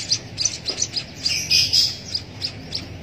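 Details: Javan munia chick fed by hand through a used straw, begging with rapid high squeaky chirps that swell into a louder, buzzier burst midway.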